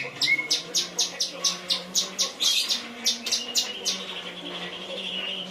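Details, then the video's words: Cucak cungkok song with 'kinoi' material: a short burst of sharp, high ticking notes, about two per second, that fades into a thin sustained whistle over a low background hum. "Cungko materi kinoi"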